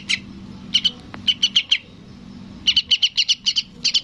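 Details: Yellow-vented bulbul chick calling for its parent, giving quick runs of high, clipped chirps, with one long run of about nine notes near the end and brief gaps between groups.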